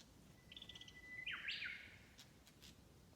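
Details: Wild bird singing in spring on a Tanzawa forest road: a few soft high notes, then a long, steady, thin whistle that breaks into a loud, rich, warbled phrase, followed by faint footstep-like taps.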